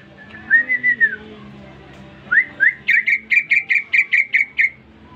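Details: Caged greater green leafbird, newly bought, starts singing when someone whistles to it. A long slurred whistle is followed by two short upslurs. Then comes a rapid series of about ten bright, ringing notes. A man speaks just afterward.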